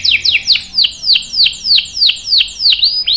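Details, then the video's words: Canary in full song with a long rolling 'ngerol' style, used for tutoring young birds: a series of loud, steeply down-slurred whistled notes repeated about three times a second, evenly paced throughout. "KENARI GACOR NGEROL PANJANG"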